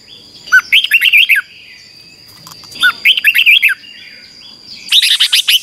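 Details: Red-whiskered bulbul singing in a contest-style training recording: two loud phrases of rapid whistled, warbling notes around the same pitch, then a harsher burst at the end, with a steady thin high tone running behind.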